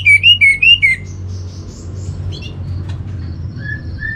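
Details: Orange-headed thrush master song used for training kept birds: a quick run of four clear, bright whistled notes, slurred and rising, then thin high twitters and two soft falling whistles over a steady low hum.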